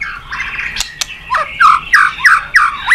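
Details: White-rumped shama singing to provoke other birds to sing: harsh squawky notes, then a regular series of repeated whistled downslurred notes about three per second, with occasional sharp clicks.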